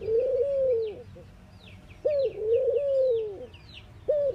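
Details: Long, mournful mourning dove coos, each beginning with a sharp upward lift, then a smooth, sustained low tone easing downward, spaced about two seconds apart, with light high-pitched bird calls in the distance.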